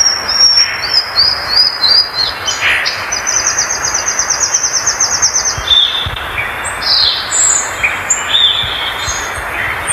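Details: Violaceous euphonia singing a varied, high-pitched song: quick runs of short, repeated chipping notes mixed with thin whistled slurs and sharp upward notes, over a steady background hiss.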